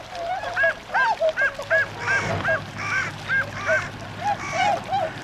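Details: Tundra swans wintering at Gohoden retention pond in Azumino, Nagano, Japan, on 22 February 2013, setting off to feed in nearby rice fields; repeated short, nasal, harmonic honks from several birds in quick irregular succession, with a low steady hum beneath.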